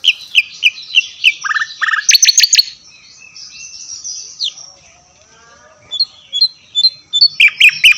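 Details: Javan white-eye and mugimaki flycatcher tutor song mix, used to train captive songbirds such as magpie robins: high, quick chirps and downslurred whistled notes in runs, a lively twittering stretch, then repeated sharp chirps near the end.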